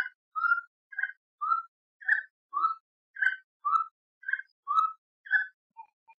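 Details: Gray-necked wood rail, known in Brazil as saracura-três-potes or sericoia: a steady rhythmic series of short whistled notes alternating higher and lower, about ten in six seconds, fading at the end.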